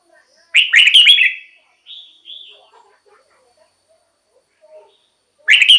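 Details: Red-whiskered bulbul song for stirring caged birds or luring wild ones: a loud liquid warbled phrase, then two soft whistled notes, a quiet pause, and another loud phrase starting at the end.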